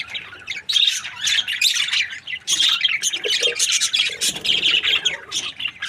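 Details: Chirping from a happy breeding pair of budgies: bursts of buzzy, grating warble and quick chirps, with brief lulls between phrases.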